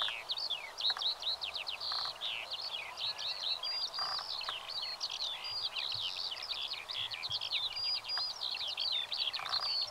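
Eurasian Skylark pouring out an unbroken, high, rapid warble of chirps, trills and buzzy notes, with faint background hiss.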